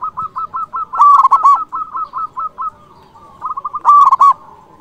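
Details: Local zebra dove singing to call rivals, used as a lure: evenly spaced soft clipped coos leading twice into a loud, ringing, rolling phrase.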